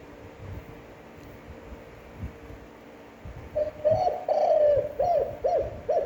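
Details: Standard-voiced spotted dove cooing: after a long stretch of faint hum, a brief lead note, one long wavering coo and three clipped, rounded coos in steady succession.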